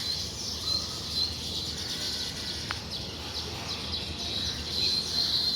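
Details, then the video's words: Morning at the nests of weaver birds flying in and out: an unbroken wash of thin, high chirps and twitters from many birds, with a few clearer whistled notes near the end and one brief sharp click. "Listen to & see the weaver birds chirp and coming in and out of their nests in the morning"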